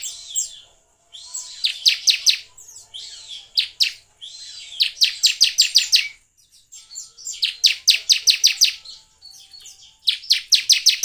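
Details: Bar-winged prinia (ciblek) lure song, played to prompt other birds to sing. High, sharp chirps fall in rapid runs of about five a second. The runs are separated by softer twittering and short silences, four bursts in total.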